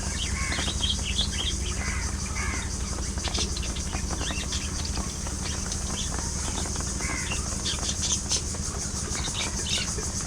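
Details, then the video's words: Group of pet budgerigars chattering through playful squabbles and grooming; busy overlapping chirps and short warbled notes, loosely repeated, over a steady high hiss and low electrical hum. "Budgies Being Budgies: Non-Stop Fun, Fights, Love & Chirpy Chaos!"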